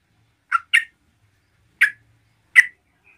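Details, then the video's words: Yellow-vented bulbul singing vigorously to provoke rival bulbuls: four short, slurred, gurgling notes spaced unevenly across a quiet background. "MERBAH CEROCOK GACOR GARUDA AMPUH UNTUK MENDRONGKRAK EMOSI TRUCUKAN LAIN"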